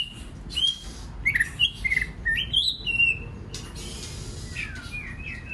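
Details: White-rumped shama song meant to provoke other birds to sing; a rapid series of short clear whistles and slurred notes at varying pitches over about two seconds, then quieter fading whistles over a faint hum.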